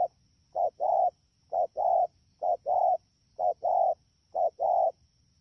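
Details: Rainy-season recording from Đak Tô, 3 October 2019, of a wild-caught spotted dove repeating low hollow short-long coo pairs at a brisk regular pace, six phrases with a steady hum in the background.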